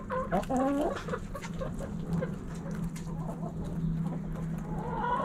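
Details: Hens in a backyard: a few short rising clucks and a brief squawk early on, then quiet murmuring and a faint rising call at the end over a low continuous hum.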